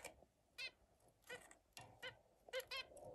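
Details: Zebra finch among other birds at play, repeated short nasal honks with stacked harmonics, about one every half second, irregularly spaced.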